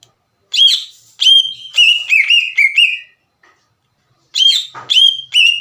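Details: Green leafbird singing hard to provoke other leafbirds into responding: separate bursts of clear whistled notes with slurred upward flicks, broken by gaps of silence, the final burst returning with similar bright whistles.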